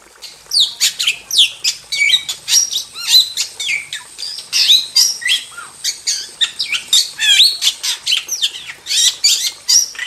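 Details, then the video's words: Long, dense outpouring from an actively singing wild starling: crowded high whistles, clicks and scratchy squawks with hardly a pause. "Masteran Jalak Super Gacor – Ultimate Wild Starling Sound Effect"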